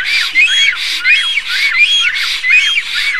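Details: Loud greeting of black storks, Estonia, 07/04/2019, amid preening and courtship; hoarse, arching whistles repeated quickly and fairly evenly, each note rising then falling, with no other clear sounds.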